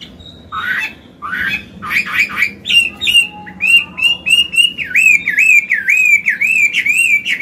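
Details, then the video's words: Old wild-caught Chinese hwamei in a cage, singing forest-style song used for training young birds and stimulating males: rough chattering notes build into a long, even string of ringing, looping whistles repeated almost twice a second. "Họa mi già giọng cực hay, luyện bổi, kích trống hót hay"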